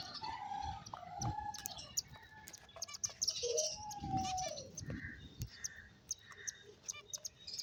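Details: Finches chirping while playing: soft high chirps and short twitters, with a few longer whistled notes and a downward-sliding note midway, over faint low background noise.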